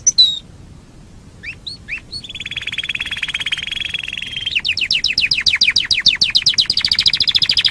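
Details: Canary singing in a master recording meant to train other birds: a few quick rising chirps, a buzzy lower roll, then fast repeated sweeping notes climbing into a high trill.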